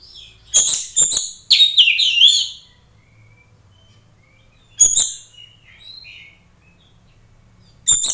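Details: Oriental magpie-robin singing strongly, played to test how fast other magpie-robins respond aggressively. A long burst of rich warbled, whistled and buzzy phrases is followed by two brief sharp note clusters after pauses of a few seconds, with a low background hum.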